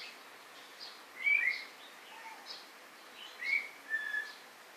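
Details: White-rumped shama singing: spaced clear whistled notes, some slurred or falling, with a softer low whistle between them and a faint hiss in the background.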